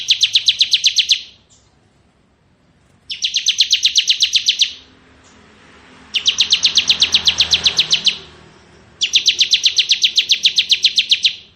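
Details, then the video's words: Bar-winged prinia, ciblek kristal variety, delivering ngebren song: four dense bursts of rapid, rattling high notes, each lasting one to two seconds, with short silent gaps between them. "Suara Burung Ciblek Ngebren"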